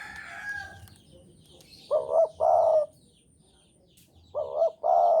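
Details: Javanese spotted dove singing in strong breeding mood: two low two-part coo phrases about two and a half seconds apart. Each has a wavering note then a long hoot, and faint chirps sound early on.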